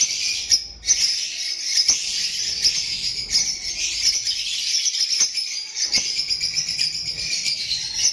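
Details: Lovebirds recorded on 15-03-25, a dense, continuous high shrill chattering and twittering with no pauses, broken by a few sharp clicks.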